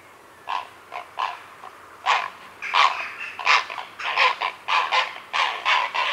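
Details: Grey herons calling at a heronry in the afternoon, recorded close up: harsh, rasping croaks in short bursts, about one every half second, growing denser and overlapping toward the end.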